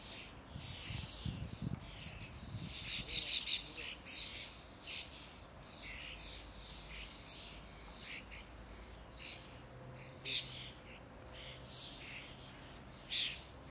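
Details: A common starling at Žale cemetery, Ljubljana, on 19 May 2023, giving a jumble of short, high chirps, clicks and squeaky notes in irregular bursts, with a steady low hum in the background.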